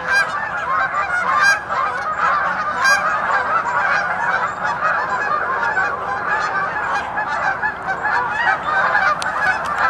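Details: A flock of geese honking together in a continuous, dense clamour of overlapping harsh calls, with no pauses throughout.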